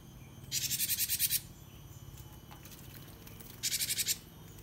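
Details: Cinereous tit (gelatik wingko) used as a training song for cage birds. Two bursts of rapid, harsh repeated notes, about eight and six respectively, separated by a long pause with low hum.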